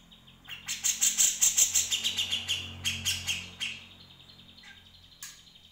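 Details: Grey-cheeked bulbul (Alophoixus bres) song, meant as a master recording for training other birds: a three-second burst of fast, bright chattering notes, about three per second, fading to a few scattered high chips.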